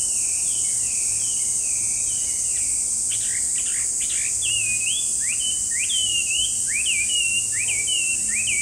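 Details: Chinese hwamei singing loud, clear whistled phrases of repeated down- and up-slurred notes, with a brief burst of harsher notes near the middle, over a steady high-pitched insect drone throughout.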